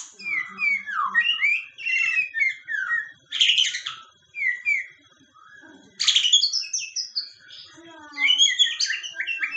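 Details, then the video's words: White-rumped shama singing at night, used as a lure song: a rich stream of varied whistled and warbled phrases with quick slurred notes, harsher bursts, and short pauses between phrases. "pancingan terbaik murai batu berkicau malam hari"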